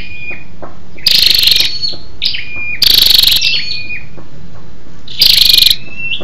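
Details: Female scarlet-backed flowerpecker giving a lure call to stimulate males: three buzzy, rapidly pulsed rattles about two seconds apart, with sharp high ticks and a thin, steady whistle in the pauses.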